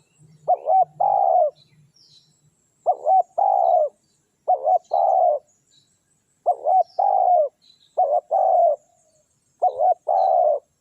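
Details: Spotted dove used as a lure for wild doves, giving steady phrases of soft low coos, each a brief note followed by a longer slurred one, repeated about every one to two seconds; faint high bird chirps behind.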